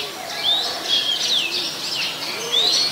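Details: Oriental magpie-robin in Ubon Ratchathani, Thailand, 21 January 2021, a very common resident bird: sweet rising whistles and varied slurred phrases high in pitch, a clean upslurred note near the end, with faint lower calls from other birds behind.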